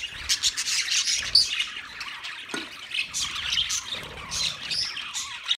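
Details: A cage full of budgerigars, 9 March 2024, fills the air with steady high chirping and squawky warbles, many birds calling at once, plus a single soft thud near the middle.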